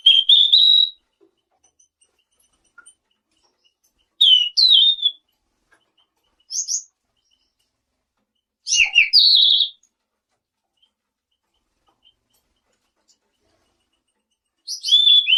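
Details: Actively singing selendang biru, played to draw replies from surrounding birds: high whistled phrases with quick up-and-down slurs, delivered in separate bursts every few seconds with silence between.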